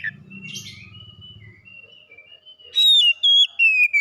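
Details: White-rumped shama, first-place winner at a singing competition: soft low chatter and a thin sustained whistle, then loud clear whistled notes sliding downward in short repeated phrases.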